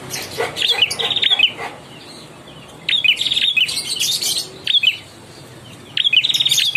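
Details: Young ashy prinia in full song: three bursts of rapid, high, rattling trilled notes about every two to three seconds, each phrase a fast buzzy repeated chip, quiet gaps in between.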